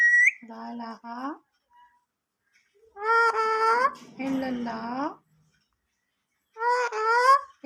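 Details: Pet parrot talking in Urdu/Hindi, reciting the kalma: a short rising whistle opens, then three bursts of harmonic, voice-like syllables spaced by pauses, imitating human speech indoors.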